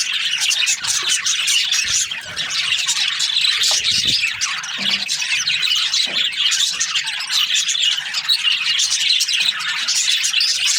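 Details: Several budgerigars chattering in the morning: a steady wash of high, raspy twitters and squawks, loud throughout with little variation.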